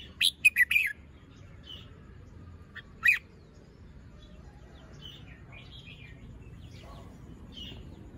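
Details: Red-whiskered bulbul in the morning, feathers fluffed and moult unfinished, delivers a rapid cluster of bright chirps, one more sharp note after a pause, then only faint soft notes.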